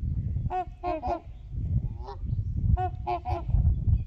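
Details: Trumpeter swans calling on Horseshoe Lake alongside geese, heard from the beach: two groups of three loud, nasal, brassy honks about two seconds apart, with steady low rumble beneath.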